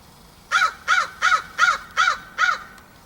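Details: Backyard crow on a post, September 2014. It gives six harsh, raspy caws in an even, rapid run, about one every 0.4 seconds, over a quiet background.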